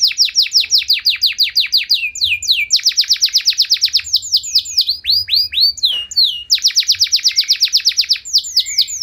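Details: Singing canary delivering fast trilled tours of descending whistled notes, switching between rolls of different speeds with brief sharp chips between phrases.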